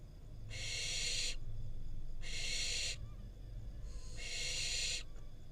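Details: Barn owl fledgling, wild, Israel, with parents delivering a rodent before it eats, recorded on a nest camera. Three coarse hissed screeches lasting under a second, repeated about every two seconds, above a constant low hum.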